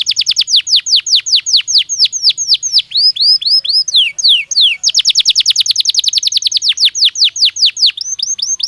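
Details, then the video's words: Belgian canary song used to train another canary: long, loud sequences of fast descending whistled sweeps, slower rising-falling notes in the middle, then another fast run and short chirps. "Som de 1 Hora com Canario Belga Cantando Naturalmente"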